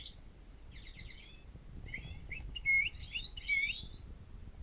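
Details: European goldfinches in an aviary singing a bright, tinkling twitter of high notes broken by short buzzy trills.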